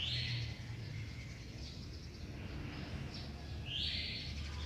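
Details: A sooty-headed bulbul sings in the morning, giving short, bright bubbly phrases at the start and again near the end, over a steady low rumble of background noise.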